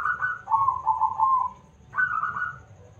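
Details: Big-voiced local zebra dove singing steadily, kept as a lure to set other birds singing. Two rolling, stuttered coo phrases fall gently in pitch, with a short pause between them.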